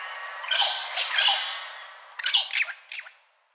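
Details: An Australian wattlebird, one of four wattlebird species from the Australian bush, gives two harsh, raspy squawks, then a quick run of three or four shorter, choppy croaks, all rough and noisy rather than musical.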